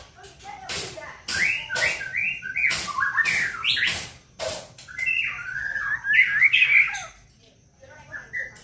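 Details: White-rumped shama song as a lure to excite a bird into singing: choppy whistled and warbled notes mixed with sharp repeated clicks, ending in quieter scattered whistles.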